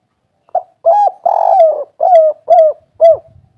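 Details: Spotted dove (derkuku, tekukur) of the local "kuk 3" type calling energetically: a run of six mellow, slightly falling coos in quick succession, the second longest, near-even spacing, quiet background.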